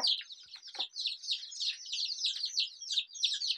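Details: Desi chicken chicks peeping continuously in a busy chorus of high, thin, descending cheeps that overlap one another, with a couple of brief lower sounds near the start.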